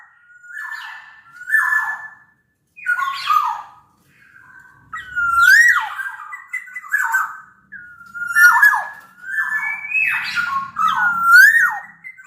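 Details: Black-naped oriole from Sumbawa, a big-bodied local bird, singing as a lure to prompt other orioles to sing: rich fluted whistles sliding up and down, phrases separated by short pauses, a few harsher notes, faint low hum beneath.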